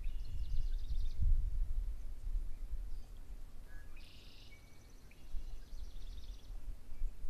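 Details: An immature male orchard oriole gives two dry, buzzy chattering bursts, one early and a longer one after a pause, over a steady low rumble of wind or distant traffic.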